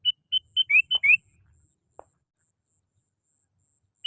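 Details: Sooty-headed bulbul lure call: a lively phrase of six notes, steady whistles interleaved with upward-sweeping ones, over a faint low rumble, then a click and the start of another phrase.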